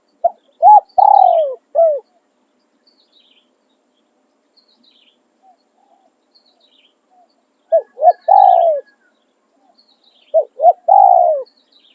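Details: Spotted dove kept as a luring decoy, crowing three phrases about four seconds apart, each with short lead-in notes, a long purring downslurred coo and a closing drop. Soft high bird chirps in between.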